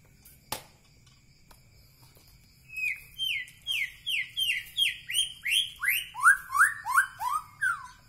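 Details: White-rumped shama, Medan Bahorok type, giving a quickening series of clear downslurred whistles, roughly three per second, stepping lower in pitch as the run goes on, after a single sharp click near the start.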